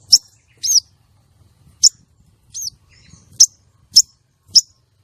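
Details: Lure calls of a female common iora, used to trap males and excite contest males: sharp high ticks alternate with arched, slurred notes, about seven calls in five seconds at an uneven pace.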